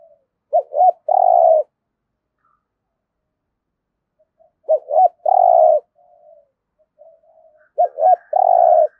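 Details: Spotted dove used as a decoy to attract wild doves, giving thúc gù cooing; three phrases spaced about three and a half seconds apart, each two brisk hoots then a long even coo, soft murmurs between.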